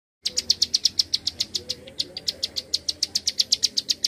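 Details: Bar-winged prinia giving its fast 'klik' call, a dense run of sharp high clicks repeated about four times a second. The series runs steadily with slight pauses, over a quiet background.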